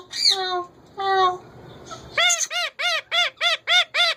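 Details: Pet male ringneck parakeet gives two drawn-out nasal calls, then a fast, regular series of seven arched, harmonic squawks.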